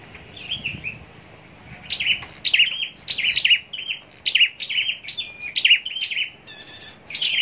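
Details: Competition-kept scarlet-backed flowerpecker in a cage at Long Thành, southern Vietnam; soft chips at first, then loud rapid runs of piercing high ticks and tinny downstrokes, nearly continuous.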